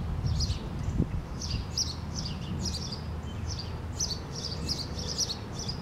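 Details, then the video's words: A male sparrow sings in a tree on 28 April 2017, a steady run of bright, high chirps, two or three a second, over a constant low rumble of wind or distant traffic. "Little male sparrow chilling in the tree and singing his little hear out"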